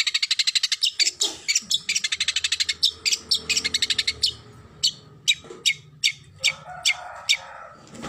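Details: Long-tailed shrike song meant to provoke stressed shrikes into answering and singing: loud, harsh, clipped notes in quick bursts that thin out into spaced single chips, with a faint low hum underneath.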